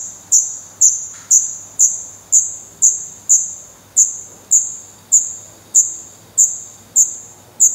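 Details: Black redstart nestlings with eyes newly open, in a nest in Portugal on 16 May 2020, camera close to the nest: thin, very high piercing notes repeated about twice a second, each sharp onset fading quickly, with a faint low hum beneath.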